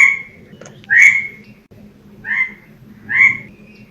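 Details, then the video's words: Bird calling: three clear whistled notes, each swelling and then dropping, spaced about a second apart over a faint low murmur. "Sounds of the bird"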